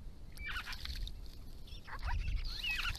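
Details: Grey-crowned babblers from a resident family group on a rural property in Victoria, Australia, visiting water in hot weather and calling to each other: short squeaky and downslurred chattering notes in two bursts, over low rumbling background.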